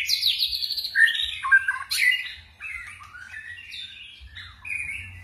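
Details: White-rumped shama in 'forest voice' song with shifting tones; loud high whistles and sweeping slurs, then softer rambling warbled phrases that fade in volume toward the end.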